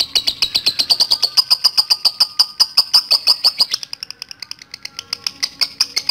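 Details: Long 'ngekek panjang' chattering of a lovebird, played to lure others into song: fast, even ticking notes at a high pitch that slow and thin out after about four seconds, then pick up again.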